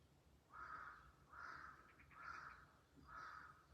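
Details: Loud early-morning crow calls in rural Japan, 19 June 2023, heard through an open window; four hoarse, drawn-out caws roughly evenly spaced, each about half a second long, over quiet background.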